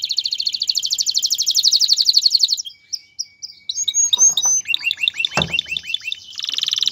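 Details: Courting male canary urging a female toward mating and nest building; an extended fast pulsing trill, a pause, then short chips, rising sweeps and a final rapid trill, with one sharp click midway.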